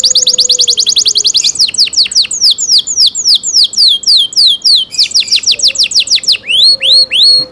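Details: Canary cenkok song that opens with a rapid, even high trill, then moves into a long series of crisp falling whistles at about three per second and ends with rising-falling swoops.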